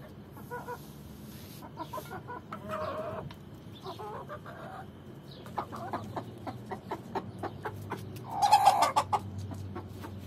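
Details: A Swedish rooster courting a hen gives quick, throaty clucks in uneven bursts, several a second, with a louder burst near the end over a low background hum.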